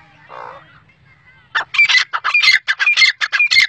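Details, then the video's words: Black francolin call: a soft low grunt and faint thin note, then after a pause a burst of loud, rough, rasping notes delivered in quick rhythmic succession, each bearing a squeaky edge. "irani teetar voice | irani teetar ki awaz | sindhi teetar sound | sindhi teetar ki boli"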